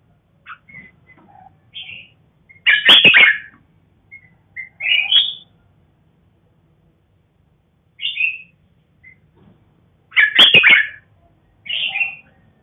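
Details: Captive-bred red-whiskered bulbul, a black-crested cross, giving short whistled notes and two loud, rich warbled bursts about seven seconds apart, each followed by a brief rising whistled flourish.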